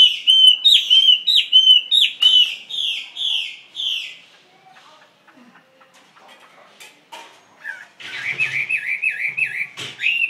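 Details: Caged Chinese hwamei pouring out rapid, bright whistled phrases, falling quiet for a few seconds with faint clicks, then resuming with quick wavering trills.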